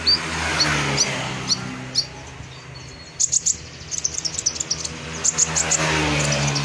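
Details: A sunbird in lively song, used as training audio for other birds, gives thin, high, sharp chirps, spaced at first and then in a quick, uneven run of several per second, over a low steady hum.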